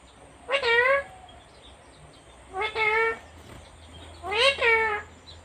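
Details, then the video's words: Female pet talking parrot from India mimicking speech: three short voice-like phrases, each a rising-then-level tonal syllable with a rich harmonic stack, spaced about two seconds apart over a faint steady background hum. "talking parrot/Best cute parrot //her voice is so cute"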